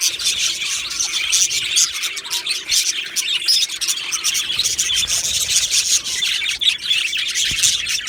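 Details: Many budgerigars in an aviary colony on 15 July 2025, producing a lively, continuous mass of twittering chirps and buzzy warbles, with a few sharp clicks within the chorus.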